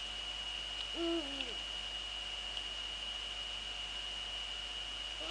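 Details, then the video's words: Eurasian eagle-owls in the Netherlands, female at the nest and male nearby, evening of 2 February 2013 at 19:15: a single short, low, slightly bending call amid a steady hiss and a constant high tone. "eagle owls NL 2013-02-02 19:15 female at nest-male nearby"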